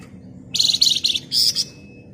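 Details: Flamboyan bird singing in the gacor ngebren style, tight and shrill: a quick series of three high, buzzy chattering bursts, then a longer sustained rattling burst, over a faint low background hum.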